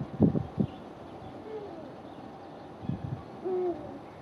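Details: Eurasian eagle-owl at a wildlife park (Wildpark Fasanerie Klein Auheim), 4 March 2016: deep, hollow hoots, a few soft muffled notes early, then two drawn-out low tones a couple of seconds apart, over a quiet background hum.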